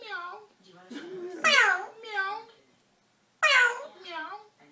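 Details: Orange-winged amazon parrot indoors, giving loud harmonic squawk-like bursts with sharp onsets and falling pitch, two main bursts about two seconds apart, while people talk to it close by in a small room.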